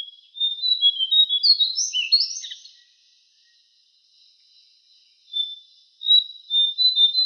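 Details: Javan cochoa singing in a songbird training recording: a short burst of high twittering whistles with a sharp downward note, a pause of about two seconds, then thin, high, drawn-out whistles.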